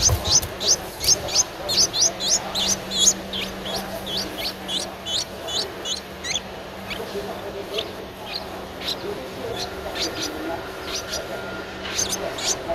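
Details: Streak-eared Bulbul nestling aged 11 days, Ubon Ratchathani, Thailand, 13 April 2023. A long run of shrill, piercing chirps comes rapidly and almost without pause, slackening briefly midway before resuming, with a faint low hum beneath.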